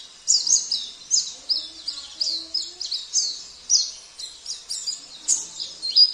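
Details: Oriental white-eye, Sambas variety, with a song filled with canary, cililin, kapas tembak and jenggot phrases, gives a steady series of high, sharp, downswept chirps, roughly two to three per second, over a quiet background.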